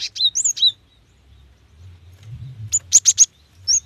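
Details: A female cinereous tit calls to a male. Slurred, swooping high whistles open the sequence, a short quiet gap follows, then a fast run of four sharp high chirps and one final thin note.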